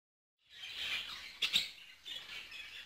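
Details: Budgerigars at a breeding facility in Ankara keep up a dense, high, warbling chatter, with two brief sharper chirps standing out near the middle.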